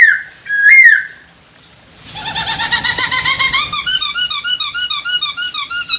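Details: Mating call of a masked laughingthrush, used to boost breeding drive: a short whistled squeak, a pause, then a fast, steady chatter of wavering notes repeated several times per second.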